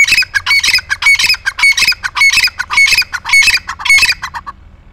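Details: A captive-bred grey francolin (Ortygornis pondicerianus) in Pakistan calls loudly: harsh, ringing squawked notes repeated in rapid bursts, nearly two per second, high-pitched and strident.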